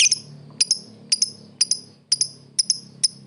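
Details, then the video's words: Lovebird calling a rival: paired sharp high chirps repeated about every half second over a low steady background hum. "suara burung lovebird memanggil lawan | the sound of lovebirds calling the opponent"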